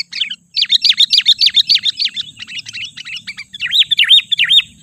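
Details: Sooty-headed bulbul lure call, used to attract and agitate wild bulbuls: a fast run of about a dozen bright, looping whistled notes, a brief chatter, then louder rising-falling whistles near the end.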